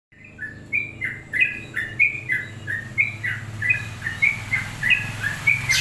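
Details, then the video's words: Long-plumed bulbul singing: a steady run of short whistled notes alternating between two pitches, repeated roughly twice a second, with a low hum underneath. "BURUNG TRUCUK ROPEL PANJANG"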